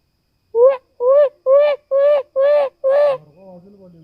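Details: Forest birds: a series of six loud, nasal honking notes, evenly spaced about half a second apart, followed by a softer, lower drawn-out tone.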